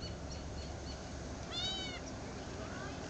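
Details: Quail perched in a tree at Dead Horse Ranch State Park, Cottonwood, Arizona, on May 2, 2010, giving one arched, plaintive, rising-then-falling note midway through, over a steady hiss of background noise.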